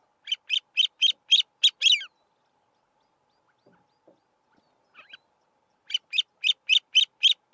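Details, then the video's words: Grey-winged Francolin, a male standing on a termite mound amid grassland, gives a rapid run of seven scratchy notes, falls silent for several seconds, then starts another even series of six notes. "Grey-winged Francolin call"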